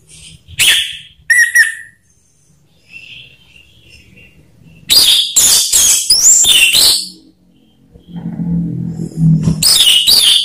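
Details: Orange-headed thrush lure song played to make silent birds start singing: scattered whistled and chattering phrases, then a dense run of loud rasping and whistled notes, a low rumble, and another loud burst.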